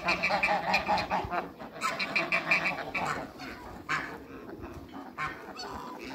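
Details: Eight African and Toulouse domestic geese on a farm, met by a visitor: loud, nasal, harmonic honks in rapid, irregular bursts, several birds calling over one another, a quieter pause midway, then more scattered honks.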